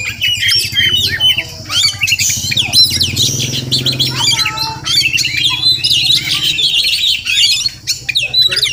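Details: Morning song of a wild village Oriental magpie-robin near a home; densely packed whistles, trills and squeaky chirps, nearly unbroken, over a faint low rumbling hum.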